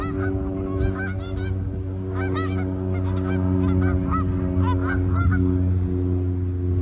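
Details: Canada geese honking as they land and take off: loud bursts of rapid, overlapping two-note honks in clusters, set against a constant low mechanical hum.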